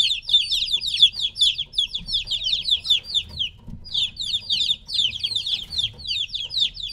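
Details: Three-week-old chicks kept apart from their mother give a loud, continuous chorus of shrill downward-sliding cheeps, overlapping rapidly, broken by one brief pause midway.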